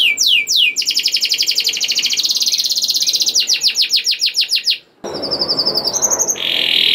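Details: Lure song of a canary meant to set other canaries singing: a few sweeping notes give way to a long, dense rattling trill, then rapid clipped notes. After an abrupt cut come high thin whistles and a buzzy tone.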